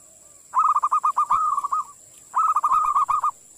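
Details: Zebra dove, a local perkutut, singing in the nonstop 'ngerot' style: two quick phrases of rapid, clipped cooing notes at a mid pitch, each phrase about a second long with a short pause between, over a faint steady high hiss.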